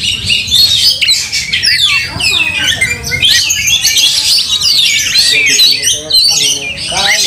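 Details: Oriental magpie-robin fighting and showing anger, tail raised: long, loud outpouring of varied whistles, harsh squawks and rapid chatter, with some lower background noise beneath.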